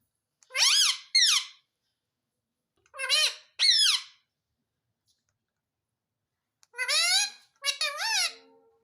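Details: Indian ringneck parakeet kept as a pet, saying "mummy" in three paired bursts: each pair of squeaky, harmonic-rich syllables bending up and down, separated by a few seconds of silence in a small room.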